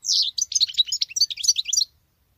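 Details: Female European goldfinch singing a male-like phrase, a drawn-out opening note followed by a dense, fast twitter of tinkling high notes lasting about two seconds.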